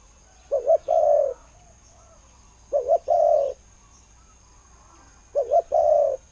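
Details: Decoy spotted dove noted for a fine voice, cooing steadily: three phrases, each a short wavering double note then a long, smooth, low coo, repeated roughly every two and a half seconds over quiet background hiss.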